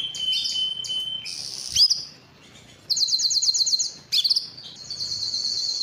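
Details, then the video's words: Belgian canary song with a held whistle, short buzzy bursts, a quiet pause, then a rapid pulsing trill and bright chattering notes. "som do canario belga"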